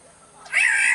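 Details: {'caption': 'Sumbawa black-naped oriole uttering a drawn-out rasping, meow-like note that starts softly and holds strong and buzzy to the end.'}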